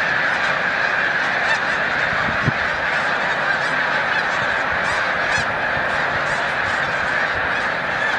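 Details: Huge flock of migrating snow geese near the peak of migration at Montezuma, New York, on 7 March 2022, taking flight; a dense, unbroken roar of overlapping honking calls with a few dull low thumps near the middle.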